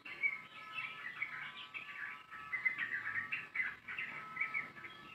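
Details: A Yellow-vented Bulbul sings a long, rapid run of bright chattering and bubbling notes that barely pause, over a faint steady hum; long song.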